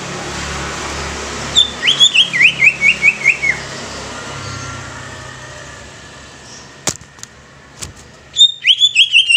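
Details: Greater green leafbird song: a short series of sharp downslurred whistles, repeated quickly, then a pause broken by knocks and a second burst of whistles, all over steady background noise.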